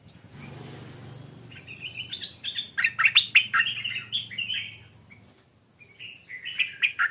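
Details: Newly caught Stripe-throated Bulbul, caged and in training, starting to sing with a doubled phrase but not yet at full voice. Bright warbled phrases of short rising and falling notes are delivered in bursts, over a low steady hum and clicking noises.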